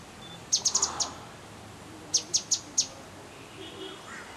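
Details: A Grey-headed Canary-flycatcher calling in a hotel garden in Manali, Himachal Pradesh, gives a quick run of five very high, sharp ticking notes, then four more after a short pause, over faint background hiss.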